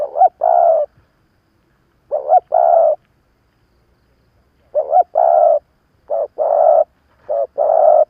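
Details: Spotted dove, an old decoy bird cooing to provoke wild rivals: loud, low hooting phrases of a short note then a longer burry coo, given in bursts with pauses, on a quiet background.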